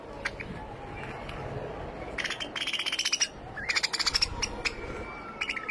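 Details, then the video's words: A white finch produces clusters of quick rattling notes in two bursts, mixed with isolated high chips and a thin drawn-out tone, over constant background rumble. "Finch Bird Sound"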